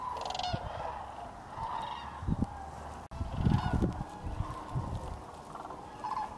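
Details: Sandhill Cranes overwintering at Tennessee's Hiwassee Wildlife Refuge near Dayton, last day of 2023: a chorus of rattling, bugling calls from many cranes, rising and falling in waves, with gusts of low wind rumble and a brief handling click midway.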